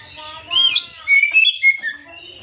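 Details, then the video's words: Oriental magpie-robin song, played in the afternoon as a provoking lure: a sharp rising-falling whistle followed by quick bright chirped notes, over faint lower harmonic tones. "Pancingan Terjitu burung kacer di sore hari"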